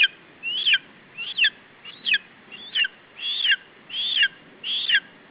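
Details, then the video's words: Lesser spotted eagle chick on a nest in Estonia, with its parents, calling to protect its food from an adult in July. Sharp high downslurred squeals repeated roughly every 0.7 seconds, steady and insistent. "Stephi protecting his food against Remo"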